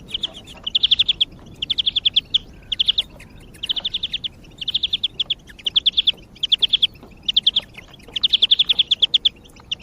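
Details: Song of a European greenfinch used as a lure for other birds: a continuous series of fast rolling trills, about nine bursts in ten seconds, each a tight run of bright repeated notes, with faint chips between.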